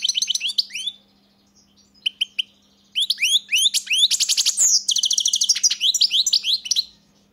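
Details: European goldfinch song in broken phrases: clusters of sweet rising chirps, a few isolated double notes, then a long tumbling twitter with dry buzzy trills; soft background hum.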